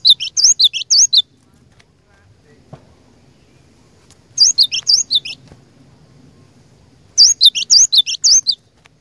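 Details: Cinereous tit kept as a lure, singing hard to challenge rival birds: three short phrases of quick high two-note whistles, each note sliding downward, separated by pauses of about two seconds.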